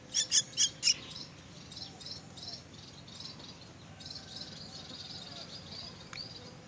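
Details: Myna chicks being fed give a quick burst of four loud, harsh, high chirps in the first second, then fainter rasping cries continue through the rest of the clip.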